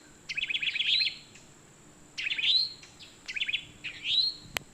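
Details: A towhee in woods, calling to its mate as the pair meets in a nut tree while other birds start chirping, gives three bright phrases about every second and a half, each a quick run of short notes ending in a rising, buzzy trill.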